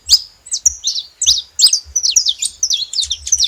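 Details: Loud, sharp chirps from a saffron finch, separate at first and then quickening into a dense chatter of slurred high notes.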